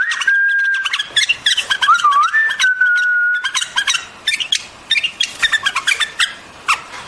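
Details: A long, smooth whistle that wavers in pitch opens the sequence, then a white-eared bulbul breaks into rapid chattering, bubbly notes that continue to the end.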